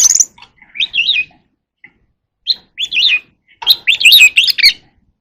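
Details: Oriental magpie-robin in contest singing: rich whistled phrases with rapid up-and-down warbling notes, delivered in short bursts separated by brief pauses.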